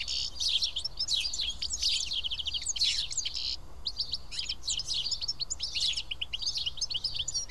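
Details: House sparrows feeding side by side at Karyotissa, Greece; a continuous tangle of shrill chirps and tweets rises and falls in intensity, with one brief lull midway and a low rumble beneath.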